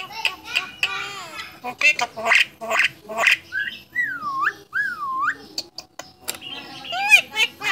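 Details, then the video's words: A talking starling described as a contest champion mimics human speech: a run of harsh, syllable-like phrases, then clear looping whistles that rise and fall, ending in squeaky chatter and a wavering whistle. "Burung Jalak Bisa Bicara.. Juara Kontes"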